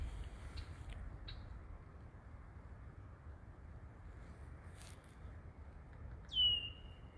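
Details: A Red-winged Blackbird gives its single loud, high, downslurred 'tear' warning call, probably at a person in its cattail nesting territory. Faint chips come first over background noise, at dusk on a near-freezing spring evening after snow at an arboretum.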